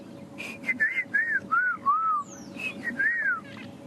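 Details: Black-crowned Tchagra at dawn in Djuma Private Game Reserve, South Africa, 29 December, gives a run of loud, slurred whistles that dip and fall in pitch, about six phrases in under four seconds, amid a quiet dawn chorus.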